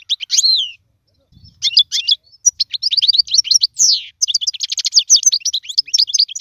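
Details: Goldfinch singing as a tutor for fledglings: a slurred whistle, then quick clipped twitters and rapid high chirp runs tumbling together, with a brief low rustle.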